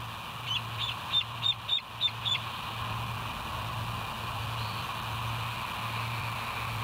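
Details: Bald eagle call picked up by a West End live nature cam, 07/09/2023, 06:24: a short run of about six soft, high piping notes in quick succession early on, then only a steady low hum and background noise.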